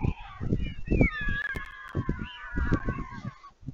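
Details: Fledged white storks returning to the nest at Vriezenveen, Netherlands, 11 July 2022, as a parent arrives to feed them: a sustained, wavering, nasal whining cry, with heavy bumping and knocking beneath.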